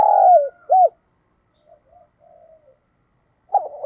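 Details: Spotted dove cooing meant to excite decoy doves: a long falling coo and a short arched note, faint low murmurs, then the start of another quick coo phrase.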